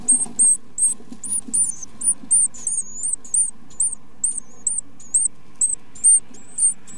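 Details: Great tit parents feeding their chicks; a steady series of very high, thin, hooked squeaks repeats about twice a second for seven seconds over faint low room rumble.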